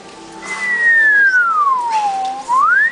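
A single clear, pure whistle that slides slowly down over about two seconds, then swoops back up to its starting pitch. Faint room hum underneath.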